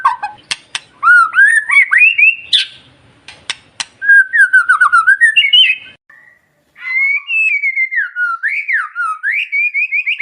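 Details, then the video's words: Lure song of a white-rumped shama for training captive birds to sing: fast, tightly packed whistled notes with rising and falling sweeps, scattered sharp clicks, and one brief silence before the varied phrases resume. "Suara Burung Murai Gacor Pancingan"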